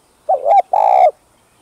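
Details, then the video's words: Cooing spotted dove meant to draw in wild doves: a short wavering coo rising at its end, a brief break, then a sustained rich, slightly trembling coo. "Tiếng Cu Gáy Giọng Hấp Dẫn ĐỦ BÀI [GÁY GỌI,THÚC,GÙ ] Kích Bổi Nhanh Nổi"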